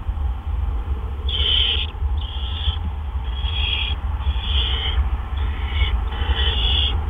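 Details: At a barn owl nest, April 17 2013, about 8 PM, two adults delivering gophers back to back: rasping screechy hisses in uneven bursts, some longer, spread across the recording above a steady low hum.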